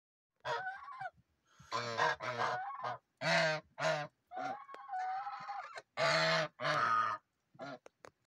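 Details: Geese honking: a series of loud, nasal, rasping honks, some drawn out and some short, coming in irregular bursts with brief silences between, in otherwise quiet surroundings.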